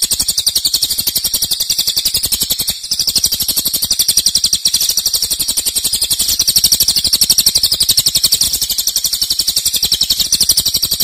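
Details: Cililin singing a loud, dense, long-lasting 'nembak' trill used as a master tutor song: a continuous high, rapid chattering of sharp notes, about four per second in steady rows, with a brief dip near three seconds.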